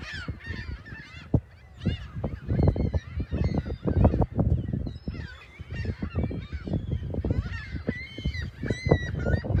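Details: Many gulls calling on the morning of Sunday, March 21, 2021, at South Beach in South Haven, facing the lighthouse and pier: overlapping harsh, arched squawks in quick succession, over steady low thumping and rumbling.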